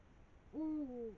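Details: Eurasian eagle-owls, female and male, eating a brown rat above the Moselle valley before dawn, 5 am on 21 March 2022; one smooth, low, steady tonal hoot that dips slightly midway, over faint hiss.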